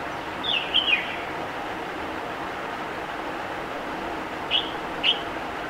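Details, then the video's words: Red-whiskered bulbul perched on a branch calling to others of its kind: a liquid warbled phrase, then two short bright whistles about half a second apart, over steady background traffic rush. "Red-whiskered Bulbul sings in its melodious three-note call"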